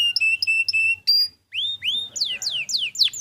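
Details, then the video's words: Canary song recorded to coax other birds into singing: three repeated clear whistled notes, a brief pause, then a run of loud rising and falling slurred whistles, with a soft low hum. "Dengar Masteran Kenari Gacor Suara Jernih Ini"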